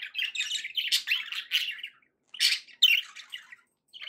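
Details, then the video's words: Pet budgies give lively warbling chirps and squawky trills in a run, pause, then add a few louder scratchy phrases and a final soft chirp. "budgie sounds to encourage your parrot to eat and sing"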